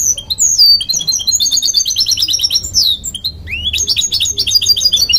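A goldfinch-canary mule sings a bright, fast run of high twittering notes and rolling trills.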